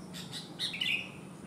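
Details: Sooty-headed bulbul that has one abnormal leg yet sings vigorously. A quick pair of clear whistled notes, the second a downward-sliding flourish, after a few soft clicks, with light hiss behind.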